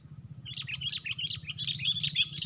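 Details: Sooty-headed bulbuls calling in a fight, four birds against one, during bird trapping. A continuous, rapid chatter of harsh clipped notes grows denser and louder toward the end, over a steady low rumble.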